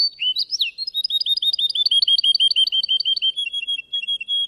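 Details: Russian canary singing at a contest: a sharp rising note, then a long fast trill of repeated downslurred chips at mid-high pitch that slows slightly toward the end, with faint higher overtones.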